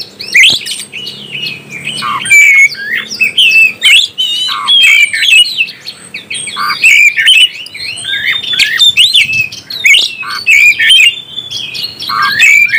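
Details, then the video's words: Extended oriental magpie-robin song to raise other birds' emotion: energetic, varied whistles and chattering trills in repeated bursts roughly every second, with a soft low hum in the background. "NAIKAN EMOSI BURUNG KACER ANDA"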